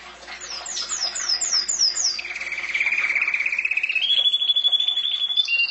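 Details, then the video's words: Canary song from a pet bird: a run of six descending high slurred notes, then a long steady rapid trill that rises in pitch and ends in a sustained high whistle. "Mon canari chant"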